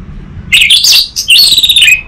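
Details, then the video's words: Orange-headed thrush singing, from Singaraja in North Bali, used to coax an untrained bird into open song: a dense, rapid run of bright, high twittering and whistled notes in two close phrases. "Pancingan dan Masteran Burung ANIS MERAH Bahan, SuPaya Nyaut Ngeplong dan Singset"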